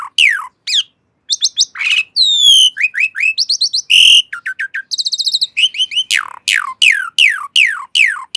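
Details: Varied Asian pied starling song: steeply falling whistles, short chattering runs, a pure high whistle, a harsh burst, a buzzy rattle and a closing series of loud downslurred notes.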